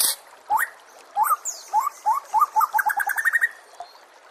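White-rumped shama song: clear, upslurred whistles, spaced at first, then quickening into a rapid run of rising notes that climbs higher before stopping.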